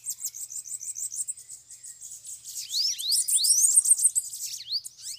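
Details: Rapid, evenly stuttered high notes give way to sweeping rising whistles as several bananaquits (sibite) call together at a trapping cage, a continuous sibilant chatter.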